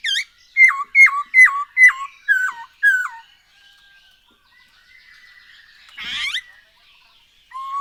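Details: Black-throated laughingthrush singing as a lure for other birds: six loud descending whistled notes in steady succession, followed by quiet chatter, a brief harsh burst and a final low whistle.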